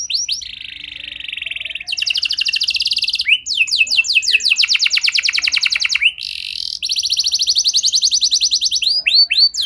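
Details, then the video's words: Canary singing as a lure to draw other canaries into song: long bright trills of rapid repeated high notes, some buzzy and some clear, switching tempo every second or two, with brief sweeping whistles between phrases. "Pancingan Burung Kenari Biar Gacor Lagi! Cukup Sekali Putar Auto Gacor Panjang"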